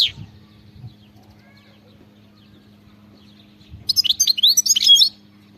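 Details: European goldfinch singing in the khalawi song style: after near silence, a dense burst of high, twittering, rapidly varied notes lasts about a second and a half near the end, with a steady low hum throughout.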